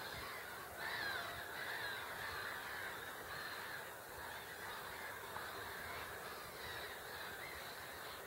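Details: On a Katowice pond (Hubertus 2) on 26 March 2021, a group of great crested grebes: a louder harsh, slightly descending call near the start, then fainter grating calls amid continuous noise.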